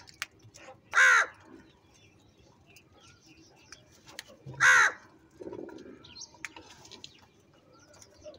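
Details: Two loud, raspy caws about three and a half seconds apart as crows fight over food; faint bird chirps fill the gaps.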